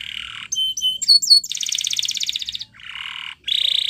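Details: Spanish Timbrado canary training song: a dense low buzzy trill, then bright whistled upslurred notes, a fast rattling roll, a lower buzzing trill, and a loud high roll at the end.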